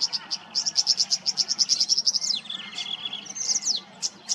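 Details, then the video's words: Tawny grassbird in Queensland, Australia: a run of short high notes repeated fast, then a falling slurred trill that drops in pitch, with other high chirps nearby and faint low background hum. "The most pristine sound of the Tawny Grassbird's call"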